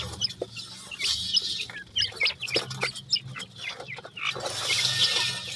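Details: Several grey francolin chicks peeping in short, high, down-curving notes, roughly four per second and irregular, with stretches of hissing noise and a low hum underneath.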